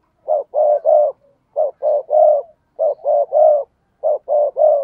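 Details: Spotted dove cooing to attract wild doves: a steady series of four three-note phrases, each phrase being two short mellow notes and a longer coo, repeated roughly every 1.3 seconds.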